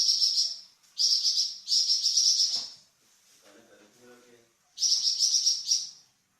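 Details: Varied song of a Flamboyan bird, a songbird kept for training cucak ijo and magpie robin. It gives several quick, high, sizzling trill bursts, then a short gap with a faint voice, then more rapid trills.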